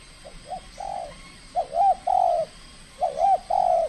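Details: Trained spotted dove (tekukur) in a calling contest, cooing in short phrases: a brief soft note followed by two or three longer hollow coos, the phrase repeated after a pause; steady faint hiss behind.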